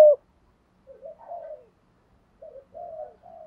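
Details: Soft spotted dove coos from a recording meant to provoke decoy doves, with male and female voices included. Low, muted hoots come in two short groups separated by silence, and a clipped loud note is heard at the start.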